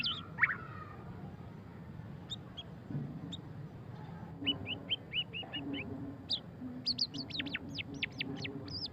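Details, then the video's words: White-rumped shama song in the ngeriwik style: a sharp opening note, a few scattered chips, then quick repeated whistled notes and a run of high, rapidly repeated upslurred whistles over low background noise. "suara kicauan burung murai batu pastol ngeriwik - white-rumped shama"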